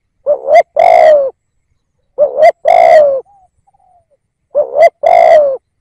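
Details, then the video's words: Spotted dove decoy calling to pull in wild doves, three rapid phrases about every two seconds, each a short upward-inflected coo pair followed by a longer, rough, gently falling coo. "Tiếng Cu Gáy / chim cu gáy kích bổi nhanh nổi / Cu gáy / Chim cu gáy mồi / cu mồi"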